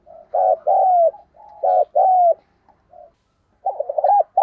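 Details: Decoy spotted dove, kept by a keeper, mixing soft low murmurs with loud paired coos that end in a falling slur. A burst of quick wavering notes follows. The setting is otherwise silent.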